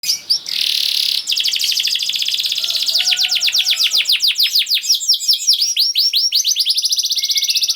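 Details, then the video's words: Canary song meant to prompt silent canaries to sing: loud, fast rolling trills of rapid repeated notes, shifting through several tours, from sweeping downslurred strokes to tight buzzy rattles, with brief whistled notes underneath. "Kenari Gacor Speed Rapet Ampuh Buat Kenari Macet Jadi Ikut Gacor Lagi || Voice of Canary"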